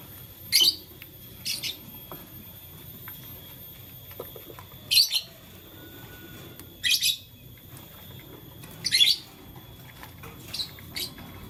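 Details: Blue, lutino and green lovebird playing with a flower in the morning makes short, harsh, buzzy high chirps about every two seconds, six separate bursts over a quiet indoor background.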